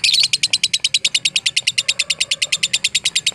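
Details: Lovebird in the fighter song style, used as a training recording: a rapid, unbroken run of harsh, scratchy chirps, about eight per second, steady in pitch and loudness across the whole stretch, with faint lower background hum.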